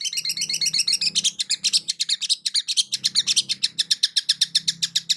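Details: Long-tailed shrike lure song for a shrike that will not sing: continuous, very rapid chattering and trilled notes at about four per second, with a low hum in the background.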